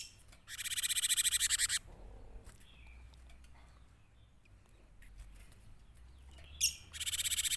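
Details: Cinereous tit singing actively, used as a lure to attract other birds: a long rattling burst of fast harsh notes, a quiet gap with soft chirps, then a sharp note and another scratchy chatter.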